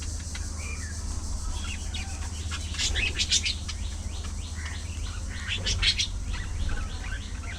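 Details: Budgerigars chattering in a social colony, a steady run of soft warbled chirps with louder clicky bursts near three and six seconds, low continuous hum underneath.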